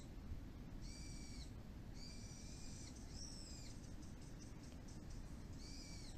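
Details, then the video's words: Birds around a neighbourhood plum orchard, calling often after rain, while a Shiba Inu listens: a series of four or five ringing harmonic notes, roughly one per second, one more broken and fluttery, over low ambient noise. "鳥の鳴き声 Chirping of birds"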